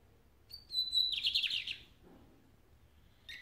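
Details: Lined seedeater song phrase: a high whistled note followed by a fast, scratchy descending trill, then a short burst of another phrase after a pause.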